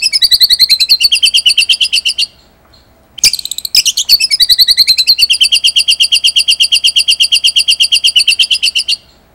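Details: Murai batu, the white-rumped shama, delivering a long rapid rolling trill ('ngerol' style) of high repeated notes. It breaks off briefly around a few sharp accented notes, then resumes as a steady fast trill that ends abruptly.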